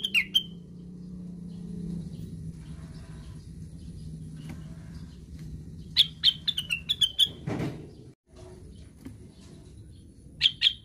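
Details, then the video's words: A cucak wilis, described as sleep-talking, gives short, sharp, high chirps, first singly, then in a quick run of about eight notes, then again near the end, over a low steady hum; identified as cuckoo. "KICAUANYA KLASIK....BURUNGNYA NYENTRIK...CUCAKWILIS SEDANG NGIGAU"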